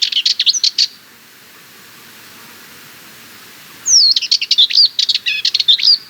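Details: Harsh, rapid rattle of a Sardinian warbler: a one-second burst, a pause of about three seconds, then a longer phrase of clicking notes starting with a descending whistled slur.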